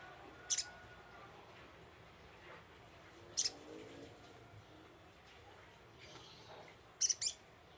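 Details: Little spiderhunter giving a lure call: isolated piercing high chips, the last one doubled, a few seconds apart, against faint background hiss.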